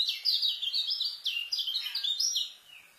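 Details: A dense, rapid stream of high, sliding chirps from a white-eye (kecial) in the 'speed rapet isian' style, recorded as a master song for new birds. The sound fades out toward the end.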